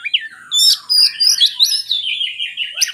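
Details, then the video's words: Oriental magpie-robin song used as a prompt for reluctant singers: loud buzzy and whistled phrases, rapid changes in pitch, continuous and varied. "suara burung kacer bagus untuk pancingan kacer malas bunyi"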